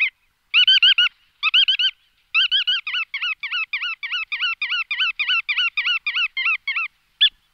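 Bar-tailed Godwit giving nasal, reedy yelping notes, first in short bursts and then in a fast run of about four per second.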